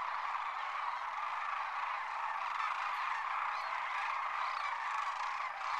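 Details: Thousands of wintering sandhill cranes lifting off from the roost at Whitewater Draw, McNeal, Arizona; constant massed trumpeting and rattling calls blend into an unbroken roar with no pause across the whole stretch.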